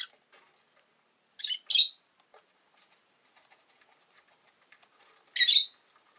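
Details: Caged rosy-faced lovebird by a window, one of five, giving a doubled harsh chirp and later a single shrill screech over soft ticking and rustling.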